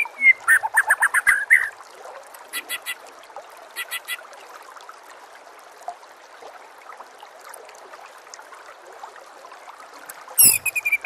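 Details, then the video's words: White-rumped shama master song used for training other birds: a quick burst of rapid, buzzy repeated notes, then scattered short chirps, a long quiet stretch and a final loud rattling burst. "SEKETIKA PASTI NYAUT dan GACOR bila murai batu anda dengar suara MASTERAN burung seperti ini"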